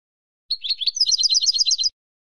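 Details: European goldfinch kept in silvestrismo, Spain. One fast tinkling burst of high, liquid twitters lasting under one and a half seconds, rising slightly in pitch partway through, with no other sounds.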